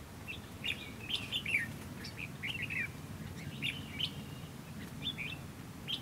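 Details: Decoy Red-whiskered bulbul at a fighting trap, singing to provoke rival bulbuls; lively chirpy whistled notes tumble in quick clusters every second or so, rising and falling, over a constant low hum.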